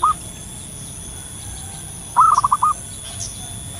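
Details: Local zebra dove calling in the wild. A clipped note is followed, after a pause, by one full mellow coo: a rising opening and four short rolling beats. Faint distant chirps sit behind it.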